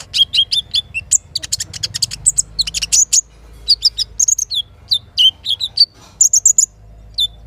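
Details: Little spiderhunter singing in the morning with busy bursts of high chips, curling whistles and short repeated notes. Gaps between phrases are brief, and a soft low river rumble runs underneath.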